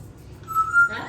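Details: A male African grey parrot (Psittacus erithacus) in a household, which usually whistles to call the dog, gives a single pure, steady whistle held for under half a second.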